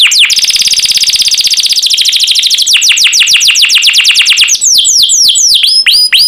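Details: Master song of a champion canary for teaching birds: a very fast rattling roll of high downward sweeps that gradually slows into separate, louder slurred notes, ending in rising and falling whistles.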